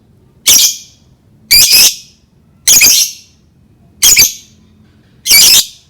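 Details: Lovebird chatter meant to prompt other lovebirds to sing along: five harsh, buzzy, high squawking bursts, each about half a second long, repeated roughly once a second, in a quiet indoor setting.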